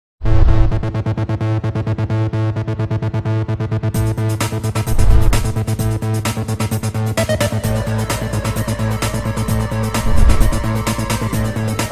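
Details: Loud electronic dance music plays throughout, with a heavy repeating bass beat and bright synthesizer layers. No animal voice can be picked out.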